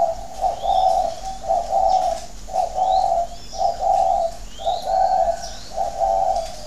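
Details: Spotted dove kept at a Ba Vì farm in Hanoi, Vietnam, cooing in thổ đấu còi style: six evenly paced, rich hollow phrases, each about half a second long, while small birds chirp faintly.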